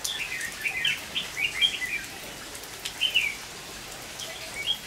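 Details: Red-whiskered bulbul used as a decoy in a trap on 23 August 2019, calling to lure wild birds despite the rain: short bright chirped phrases, a few spaced notes over a steady hiss of rainfall.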